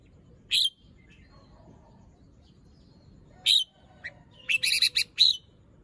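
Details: Red-whiskered bulbul in morning song with fluffed plumage, unfinished moult and drooping crest; high, sharp whistled notes spaced apart, then a rapid cluster of thin, buzzy, ringing notes.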